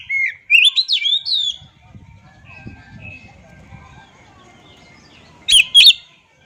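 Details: Oriental magpie-robin giving ringing whistled and slurred notes, then quieter scattered notes over low rumble, ending with two sharp, loud clipped calls.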